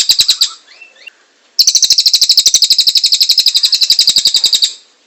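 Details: Cililin singing vigorously, a master song for training magpie-robins, kacer and cak ijo: after a few soft notes, a long burst of high, sharp, buzzy notes repeated about four times a second for three seconds.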